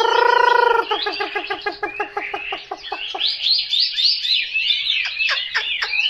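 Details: A long buzzy held note from a Chinese hwamei gives way to a fast, even series of repeated clipped notes, then to loud, varied whistled phrases with sharp downswept notes.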